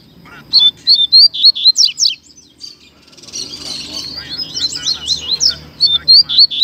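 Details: Two coleiros duelling in song, 2019/20 season: loud clipped whistled notes in fast runs, a brief pause with background hiss, then dense overlapping twittering and sharp slurred notes resuming.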